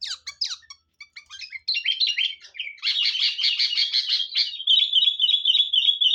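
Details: Lure sound of a chatty Sooty-headed bulbul: scattered sharp chirps, then a buzzy rapid chatter, ending in a steady wavering run of quick repeated whistled notes.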